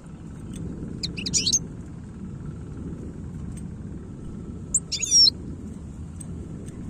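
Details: European goldfinch in Algeria singing in the khalawi style: two brief bursts of sharp, high twittering with liquid trills, separated by about four seconds, over a constant low rumble and faint hum.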